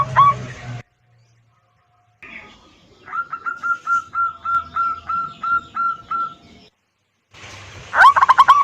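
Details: Local zebra dove song played as a lure for caged birds that have gone quiet: after brief noises and a pause, about ten soft, even cooing notes repeat steadily, followed by a louder burst of rapid notes.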